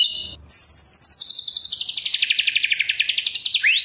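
A fast rattling series of sharp chirps, about eight a second, slides down from high to mid pitch and ends in a quick rising sweep.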